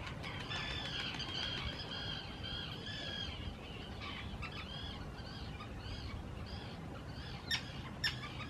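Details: Common terns court loudly and claim preferred nesting spots on islands built for nesting in Israel's Hula Nature Reserve, spring 2018: a burst of harsh overlapping rasping calls, then spaced shorter squawks about twice per second, with two sharp clicks near the end.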